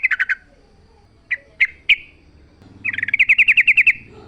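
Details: Yellow-vented bulbul in the wild, singing loudly: a few quick chirps, scattered single sharp notes, then a rapid even trill of about a dozen bright notes. Low background hum.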